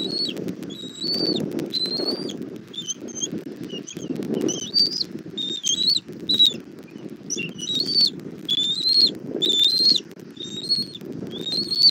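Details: Bald eagle at a nest in southwest Florida, early evening of 1 April 2024, as food is brought to the chick: a busy run of high, wavering whistled chirps, some bending up and down, with continuous low wind rumble.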